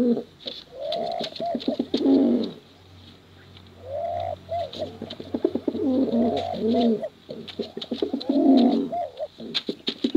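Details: Bursts of guttural rolling coos from male and female contest pigeons, separated by brief lulls, with a low hum and intermittent sharp clicks.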